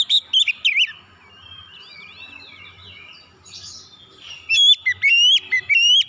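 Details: Oriental magpie-robin lure song meant to draw song from other birds: short whistles, then soft twittering and thin slurred notes, ending in a loud run of ringing whistled notes.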